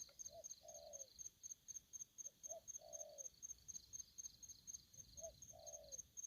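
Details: Three low cooing phrases from an aggressive spotted dove, each opening with a quick note before a sustained coo, set against a continuous fast-pulsing cricket chorus.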